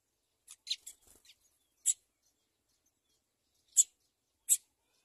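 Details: House sparrow parents feed two chicks. A quick cluster of sharp, high chirps comes first, then three isolated clicky chirps spaced a second or two apart, fairly quiet overall.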